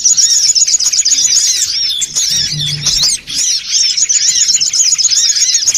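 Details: A crowd of songon otong birds calling noisily for luring: rapid, high-pitched chirps overlap without pause, forming a constant squeaky chorus that dips briefly near the middle.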